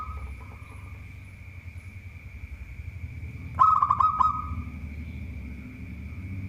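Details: Zebra dove of local stock, known for provoking rivals into song: a single rapid burst of purring coo notes in the middle, surrounded by low rumbling background noise and a steady thin whine.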